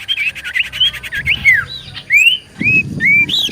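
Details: Common iora lure song to prompt replies: rapid buzzy chatter, then clear slurred whistles, some falling and some rising, spaced about half a second apart, with faint low noise.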